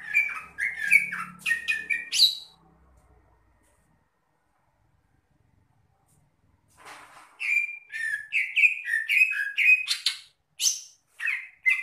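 Greater green leafbird singing rich, varied whistled phrases with quick slurred notes, in two bursts separated by a few seconds of silence.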